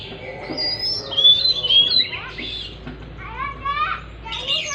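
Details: Oriental magpie-robin lure song, played to stimulate a stressed bird that has stopped singing: varied clear whistles and rising-falling slurred notes, with faint background voices.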